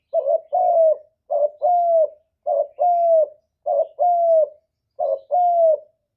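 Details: Spotted dove giving a provoking coo that draws other doves to answer. Steady two-part phrases, a brief hoot then a longer, slightly falling coo, repeated about five times roughly once a second.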